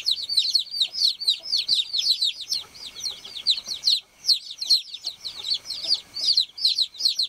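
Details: Farm chicks peeping for the hen: loud, high, descending chirps packed closely in a steady stream from many birds at once, with one short pause near the middle.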